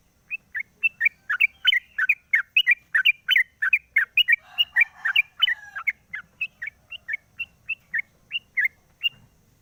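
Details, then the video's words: Caged sooty-headed bulbul in morning song once its cover is opened, recorded as a lure: a long string of rapid chirping flicks that grows denser midway, then thins to evenly spaced single chirps. "pancingan burung trucuk di pagi hari buka krodong bunyi"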